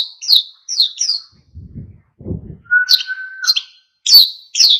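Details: Oriental white-eye in spirited song meant to provoke other birds to sing: short, high, sliding chirps in small bursts, separated by low knocking sounds, with one longer steady whistled note in the middle.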